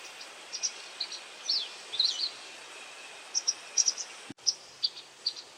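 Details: White wagtail giving call notes while catching insects: short, sharp, high chirps, scattered singly and in pairs with gaps between them, over a steady hiss of background noise and a single click.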